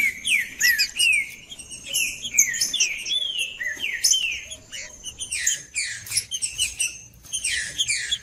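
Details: Green-winged saltator (trinca-ferro) singing macheando to stimulate cold males; bouncing downslurred whistles mixed with rough chattering bursts in lively repeated phrases, with a thin high whine throughout.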